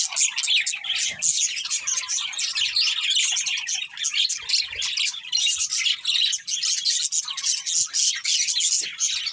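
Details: Lively budgerigar chirping: rapid, overlapping high tweets and scratchy warbles pulse in quick bursts without a break.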